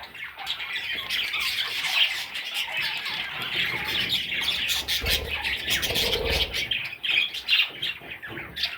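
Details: Baby budgerigars producing a busy stream of high squeaky chirps and harsh squawks, with some low handling noise midway.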